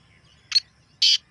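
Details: Black francolin calling, natural recording meant to make a kept bird active: a short scratchy double note, a pause, then one longer harsh rasping burst, background otherwise quiet.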